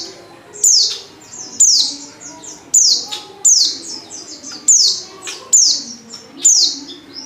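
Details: Female white-eye in heat calling to a male: sharp, high, downward-sliding chirps repeated roughly once a second, each a bright falling whistle, with faint low hum underneath.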